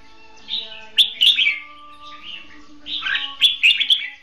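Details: Red-whiskered bulbul decoy bird in duelling song for trapping; two groups of quick whistled chirps separated by a softer warble, with a faint steady tone underneath.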